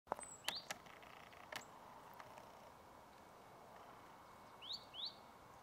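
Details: Eurasian treecreeper (Certhia familiaris) at Ljubljana Marsh, Slovenia, on 2 January 2023, giving thin, high, upslurred notes, one early and then a quick pair near the end, over steady hiss and a few sharp knocks.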